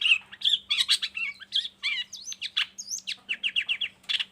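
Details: Long-tailed shrike in full varied song, used as a master recording and a lure for other shrikes: fast mix of warbled twists, slurred whistles, and a closing series of even repeated chirps, with a faint steady hum behind.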